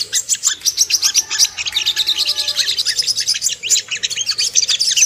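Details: Ruby-cheeked sunbird, locally called sogok ontong, in a lure recording meant to make kept birds aroused and aggressive: rapid, dense, high-pitched chirps and twitters in quick overlapping bursts, with brief thin whistled notes in the middle.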